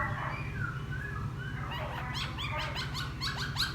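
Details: Newly caught wild laughingthrush, kept for ten days, singing casually after bathing: a series of clear whistled notes, some gliding down, then quicker repeated sharp sweeping phrases toward the end over a constant low hum.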